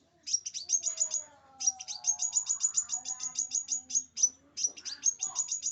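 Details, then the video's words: Tutor recording of a scarlet minivet: bright, very high chirps fall in steady rapid runs, pausing briefly between phrases, over a soft background of lower, drawn-out whistled tones. "sepah raja"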